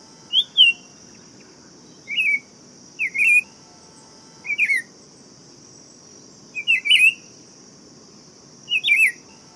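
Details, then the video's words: Buff-throated Saltator repeating short slurred whistles, some paired notes, about seven phrases at irregular one- to two-second gaps; a steady high-pitched drone runs throughout with faint low ambient noise. "Canto do Tempera Viola Saltator Maximus"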